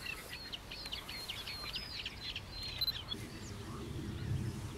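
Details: Black-winged stilt (Himantopus himantopus) at Mutěnice, Czech Republic: a burst of rapid, sharp, nasal yelps in the first half, followed by low rumbling noise.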